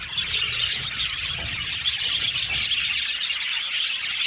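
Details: Roughly 70 pairs of budgerigars in an aviary chatter together: continuous high chirps and scratchy squawks from many birds layered into one steady, bright chorus.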